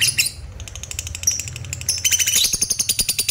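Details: Lovebird's ngekek, a long chattering song played to lure other lovebirds into ngekek and excite their mating drive: a rapid, dense run of high squeaky ticks, speeding into a steady rattling pulse of about seven notes per second toward the end.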